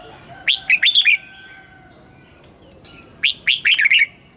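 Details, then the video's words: Red-whiskered bulbul morning song in double-note style, used for caged-bird training: two crisp phrases of five or six quick, bright chirping notes, separated by about two seconds of near silence. "Luyện giọng cho chào mào hót sáng, ép chào mào hót âm kép già rừng hay tuyệt!"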